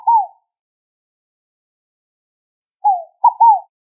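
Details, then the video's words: Scaled dove (rolinha fogo-apagou) song: the tail of one cooing phrase, silence, then a full three-note phrase with a falling opening note and a paired second part. Calm, clean surroundings. "O Canto da Rolinha Fogo Apagou!"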